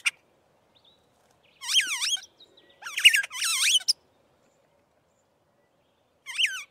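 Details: Aplonis starling uttering scattered grating, buzzy calls with wavering overtones, one near the start, three in a quick cluster mid-way and a final call after a long silence.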